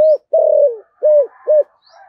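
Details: Spotted dove used as a decoy, singing in thổ voice. A short coo, a long vibrating croo, then two evenly spaced clipped coos, with soft background chatter and a faint high squeak.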